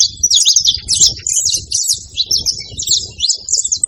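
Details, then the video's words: Saffron finch calling: busy runs of high, sharp chirps and twitters in uneven bursts, with low rumbling background noise throughout. "canário da terra fazendo barulho na seva"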